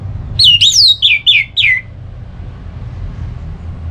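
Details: Short ngeplong phrase from an orange-headed thrush, used to stimulate another bird: about five clear, downward-slurred whistles in quick succession, then quiet with low hum.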